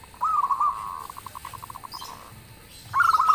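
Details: Zebra dove of local stock singing; a rolling cooing phrase trails into a long run of evenly spaced soft pulses, then another phrase begins.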